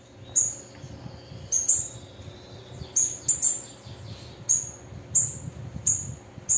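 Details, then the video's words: A female bananaquit utters short, piercing, very high chips, some doubled, spaced about half a second to a second apart, over a soft low background rumble. "sibite Fêmea Chamando e Cantando foguear qualquer sibite"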